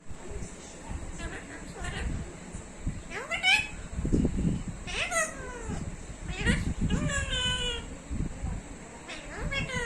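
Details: Talking parrot giving a series of harmonic calls that sweep sharply up and down, some squawk-like, over steady background chatter and a constant high hum.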